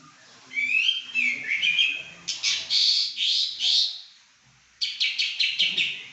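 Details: Pekin robin in energetic 'gacor' song, opening with ringing slurred whistles, then a run of loud buzzy notes, a short pause, and a rapid stuttering series of clipped notes.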